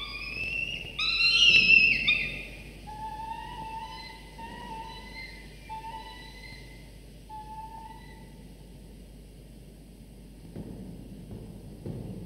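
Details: Nestling falcons, two chicks 24–25 days after hatching, fed prey by their father at breakfast; a loud strained squeal opens, then a series of short thin whistled cries repeated several times a second trails off into quiet.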